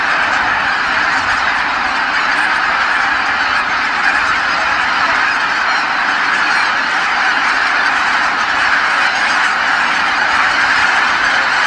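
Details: Dusk return of vast goose flocks to Kabukuri-numa marsh after a day's feeding; a long, unbroken mass of overlapping honks, steady and dense from start to finish.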